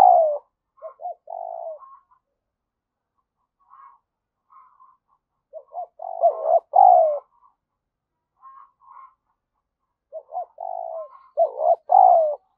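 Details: Spotted dove acting as a lure, urging and cooing ('gáy thúc và gù') to provoke wild doves: three full phrases, each a few soft clipped notes leading to a long falling coo, separated by pauses with faint background cooing.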